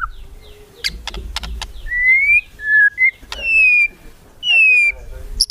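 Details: White-rumped shama kretekan song used to provoke rivals into singing: sharp clicking notes followed by clear drawn-out whistles, some rising and some falling, separated by short pauses, over faint low background noise.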